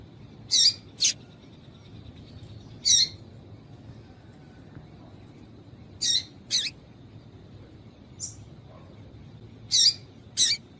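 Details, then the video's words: Calls of a female papa-capim, played by breeders to stimulate males for contests; high short chirps often in close pairs, roughly nine notes over ten seconds with gaps of two to three seconds. "Piado de Fêmea de Papa capim para Esquentar Papa capim"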